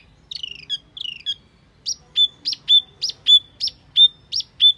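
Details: Wambi lure call: two scratchy, chattering notes, then a steady series of sharp notes, each dropping into a short flat whistle, repeated about every third of a second on a quiet background.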